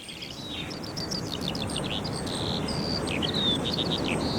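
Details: Eurasian skylark singing in summer at Minsmere reserve, sea crashing behind the dunes, a tiny bird with tremendous volume; an unbroken, high, rapid warbling stream of chirps and twittering notes over a steady low roar of surf, a cuckoo mentioned in the background.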